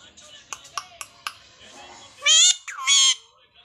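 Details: Talking parrot indoors: several soft clicks and taps, then two loud harsh voiced bursts in quick succession, like short spoken words.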